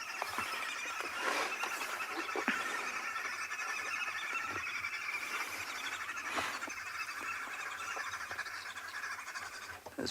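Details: Green wood hoopoes at Ngala Private Game Reserve, South Africa, on a winter afternoon, 14 May 2020, with elephants nearby. They give a dense, harsh cackling chatter without a break, with sharp clicks and knocks behind.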